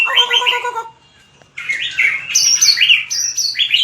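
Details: White-rumped shama singing a competitive fighting song for voice training: a warbled, harmonic phrase, a second of silence, then bright whistled notes that rise and fall in quick succession.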